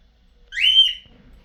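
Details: Cockatiel giving a single clear whistled call lasting about half a second, rising then gently falling, bright and tonal with faint overtones above, set against a quiet background.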